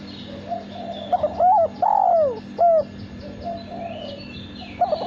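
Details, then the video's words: Kept male spotted dove cooing loudly: a soft lead-in, a stutter of short notes, then a long falling coo and a short closing coo, with faint chirps of other birds and a low steady hum. "Derkuku Suara Bersih"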